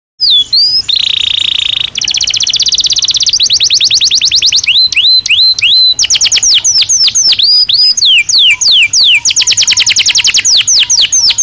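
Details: Belgian canary singing naturally: a loud, continuous run of fast whistled sweeps, rolling trills and bright rising-falling notes. The phrases change every second or two, with a steady buzzy trill near the start.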